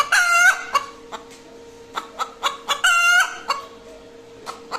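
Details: Cackling hen just after laying an egg. A long squawk opens the clip, spaced clucks follow, then a second drawn-out squawk near three seconds. A low hum runs throughout.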